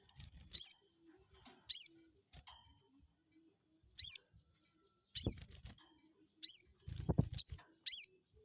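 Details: Crested jay provocation call for rivals: strong high squeaky notes repeated at uneven intervals of one to two seconds, with some low rumbling knocks between them.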